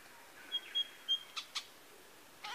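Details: A male lyrebird at Masons Falls, Kinglake National Park, gives three short, clear, high whistles, then sharp clicking snaps, mimicking various other birds; the bush around is otherwise quiet.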